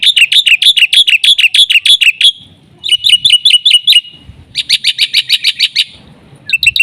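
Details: Black-winged myna in full, lively song used as a lure and master recording for training all kinds of mynas: fast runs of harsh, buzzy chattering notes repeated several per second in bursts separated by short pauses, with faint low rumbling behind.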